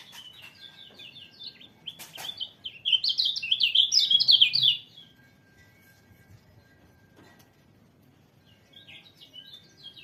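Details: White-eye singing a fast, high twittering song of rapid slurred chirps that builds in loudness for about five seconds, pauses, then resumes softly, over a steady low hum and faint background noise.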